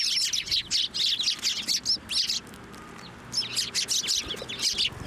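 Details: At Tenmangu shrine on March 18, 2024, a flock of sparrows gathers on a feeding hand. Rapid, bright chirps come in two bursts separated by about a second of quiet, over a faint low hum.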